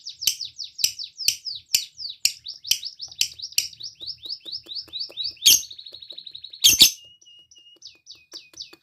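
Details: Lovebird singing vigorously as a prompt to set other lovebirds singing, a rapid string of high looping chirps followed by two loud sharp bursts and a thin buzzy trill.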